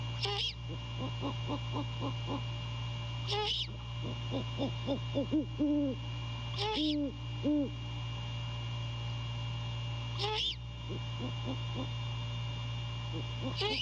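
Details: Male great horned owl checking out the nest at night while calling to his mate, courting in January: clusters of low arched hoots and quick stuttering notes, broken every few seconds by sharp high scratchy squeals, with constant background hum.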